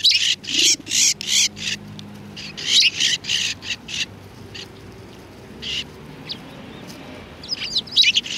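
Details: Flock of sparrows at a Tenmangu shrine coming to be fed, February 7, 2020, with loud chattering cheeps at first, then sparser single chirps and faint twitters.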